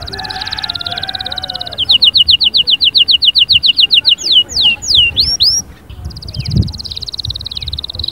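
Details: A spirited canary gives a soft, fast buzzy trill, then a loud, clipped series of repeated notes, several swooping whistles and a final quick chattering phrase.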